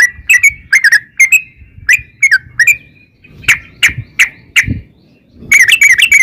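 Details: Yellow-vented bulbul singing, used as a lure for other bulbuls. Paired bubbly notes, then sharper single notes spaced about a third of a second apart, ending in a quick chattering burst, over a low rumbling background.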